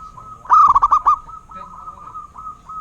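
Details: Local perkutut (zebra dove) delivering one loud phrase of rapid trilled coo notes, then a steady softer tone trailing behind it.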